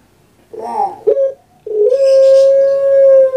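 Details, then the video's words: Captive puter pelung dove, a bird famous on Java, Indonesia, gives a rolling throaty note, a short clipped coo, then a sustained steady, even-pitched coo held for nearly two seconds. "KURANG AJAR BENER SUARANYA BIKIN PUTER PELUNG LAIN SAKIT HATI"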